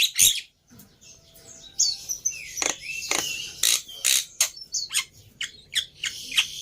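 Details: Black-winged myna lure song intended to make a silent bird reply: a scattered mix of sharp chips, thin whistles and rough squawks at uneven intervals, somewhat softer overall.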